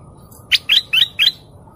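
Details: Golden canary uttering four crisp rising chirps in quick succession, about a quarter second apart, with faint low background noise.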